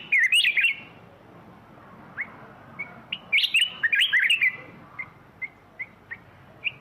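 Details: A black-crested bulbul gives a loud rolling whistled phrase, then a string of brief clipped notes and a second burbling phrase, ending in scattered short chirps.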